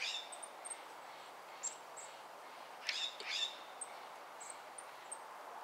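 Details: Active Golden-crowned kinglets in a yard in Corvallis, Oregon give repeated very high, thin, faint tsee notes at irregular intervals, with a pair of louder broad rustling bursts near the middle.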